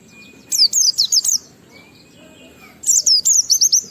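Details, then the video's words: Ngalas-style Oriental white-eye song with riwikan filler, used to trigger other white-eyes to sing: two quick bursts of bright, high, zigzagging chirps, with a thin steady whistle faintly audible between them. "Burung Pleci Gacor NGALAS Isian sambung Riwikan Materi Ampuh Merangsang Semua Pleci langsung Gacor"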